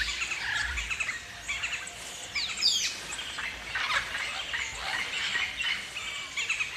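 Galahs give a busy stream of shrill, scratchy screeches and chirps that overlap throughout, like a chattering flock, with a faint outdoor hiss behind.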